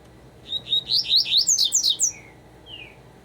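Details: Double-collared seedeater giving a rapid phrase of clear, rising whistled notes, around eight in quick succession, ending with two softer, thin downslurred whistles.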